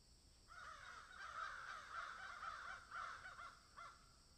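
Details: Crows in a field starting up after a brief quiet, then a busy stretch of overlapping rasping caws, ending in a few spaced single calls.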